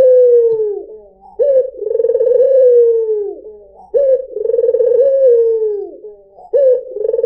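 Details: Lure call of a white dove, puter putih: three low, throaty coos about two and a half seconds apart, each a quick upward lead-in followed by a long vibrating roll that fades downward.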